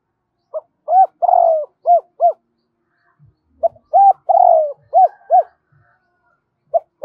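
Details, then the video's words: Double-voice call of a Spotted dove kept as a decoy to stir up other decoys: a low cooing phrase of short notes around one long descending coo, given twice with a pause between. "Chim cu gáy gọi giọng đôi dùng kích bổi tập mồi hiệu quả"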